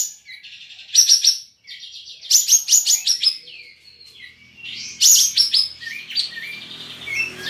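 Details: Cream-vented bulbul (kapas tembak) kept in a cage, entered in an online songbird contest from Singkawang, West Kalimantan, singing three loud bursts of rapid descending chatter linked by soft wavering whistles.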